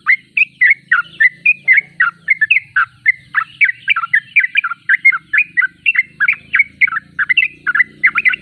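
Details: Sooty-headed bulbul singing steadily: a rapid, bubbly run of short, sharp whistled notes, about three or four each second, bright and mid-high in pitch, with a faint low hum underneath.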